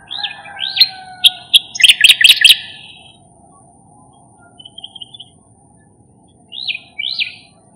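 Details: Striated grassbird calls recorded by the Marikina River, March 20, 2022: arched whistled notes lead into a fast burst of sharp clicking chatter, then a quiet pause with faint high notes, and two more swooping whistles near the end.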